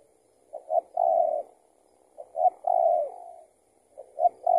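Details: Spotted dove drawn in by a decoy during trapping, possibly an escaped tethered bird. Three phrases: a pair of short hooting notes, then a longer low coo that sags at the end.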